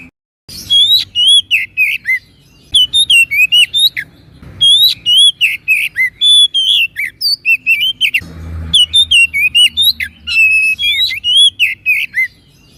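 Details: Oriental magpie-robin (kacer) singing continuously for birds to learn from: long phrases of clear whistles, curling slides and quick chips, briefly broken by a low thump before the song resumes.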